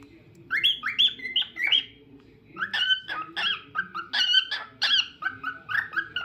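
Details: Cockatiel at home chattering and whistling in quick bursts of short, rising chirpy notes, pausing briefly midway, then continuing in a steady string of bright syllables.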